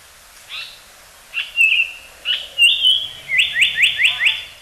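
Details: Song of a Japanese paradise flycatcher from a sound library: an opening chip, two long buzzy whistled notes, then a quick string of four or five clear descending notes. The background is quiet.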